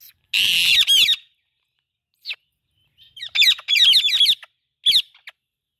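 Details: Talking Indian ringneck parakeet: a long grating squawk, a pause, then a quick run of chirpy, squeaky syllables rising and falling, ending with one last bright chirp.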